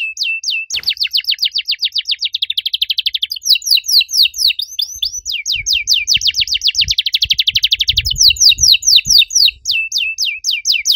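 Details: Singing canary with a loud, clear voice and unusual phrasing: continuous fast descending trills alternating with buzzy rolled passages, kept up for the whole stretch, with faint low thumps in the background.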